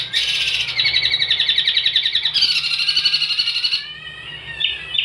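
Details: Long-tailed shrike (cendet) singing energetically for songbird training: a dense, rapid rattling trill of scratchy notes for nearly four seconds, then softer rising whistles and short chirps.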